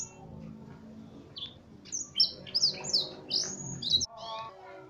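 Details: F1 canary trained on blackthroat song: after a quiet start with low background rumble, a burst of loud high swept whistles and chirps follows in quick succession, then fades into softer notes.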